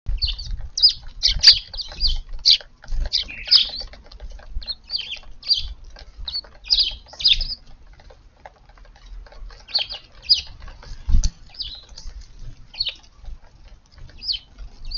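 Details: Eurasian tree sparrows visiting a sunlit garden at morning feeding on April 3, giving a steady stream of short, high chirps in loose bursts, some overlapping, with quiet gaps around mid-clip and faint low background rumble.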